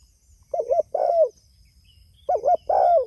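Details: Spotted dove calling to its companions: two phrases, each a pair of short rounded coos followed by a longer mellow coo sliding downward, about two seconds apart.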